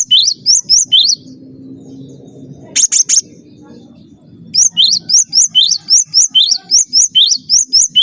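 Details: Cinereous tit song as a training master: a few high up-slurred whistles, a quiet stretch with low rumble and a short broad burst, then a long even series of about eighteen sharp rising notes.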